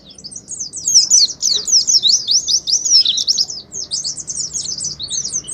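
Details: Oriental white-eye delivering 'ngalas' song as a singing lure for kept birds: a loud, dense chatter of high, twisting, rapidly alternating notes running without a break, over a faint background hiss.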